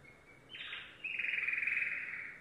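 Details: Yellow domestic canary giving a thin high note, a brief buzzy burst, then a loud, fast-pulsed rolling trill held for over a second.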